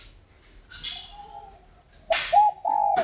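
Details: Spotted dove raised and trained by a keeper: after a faint, drawn-out low coo, a louder run of short and longer hollow coo notes follows near the end, with a steady high electrical whine behind.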